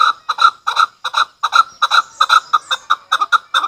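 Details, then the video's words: Loud, rapid chuk-chuk notes from a chukar partridge, often paired, repeated at a brisk steady pace of about two and a half per second with no pause. "Chakor ki awaz | hunter Chakor voices"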